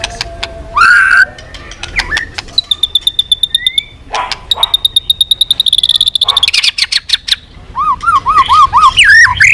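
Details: White-rumped shama, previously silent but singing eagerly again, mixes a rapid ticking rattle, high thin piping trills and a closing row of five quick looping whistles, with short slurred notes in between.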